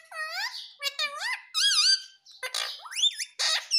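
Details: A ringneck parrot talks, mimicking the words "mummy papa": a squeaky, nasal, speech-like voice with wavering pitch, short syllables run together, and then a few harsher screeches in a small room.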